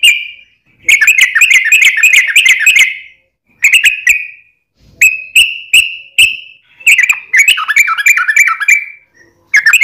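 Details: Yellow-vented bulbul singing vigorously in a long rapid 'ropel panjang' style, used as a lure to make other bulbuls answer: bubbly warbled phrases alternate with short clear whistles, separated by brief pauses, with a clean quiet background.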